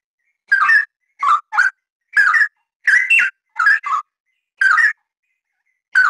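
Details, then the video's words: Straw-headed bulbul singing in steady, dense form, rich bubbling whistled phrases each under half a second in irregular bursts with brief pauses, a recording meant for training other birds; no other sounds. "Suara Kicauan Burung Cucak Rawa, Rowo Gacor Rapat"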